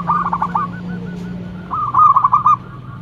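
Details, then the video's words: Loud song of a local zebra dove, actively singing and used as a lure bird to make others answer: two rolling, purring trilled coos, each a quick run of stuttered notes, with a low steady hum beneath. "Perkutut lokal gacor mental bagus suara NYARING pikat super"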